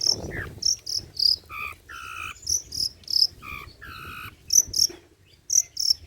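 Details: Cendet, the long-tailed shrike, delivering old-style song material meant as a lure and tutor track: high sharp squeaky notes mixed with lower nasal, harsh double-toned calls, uttered in short bursts with brief gaps.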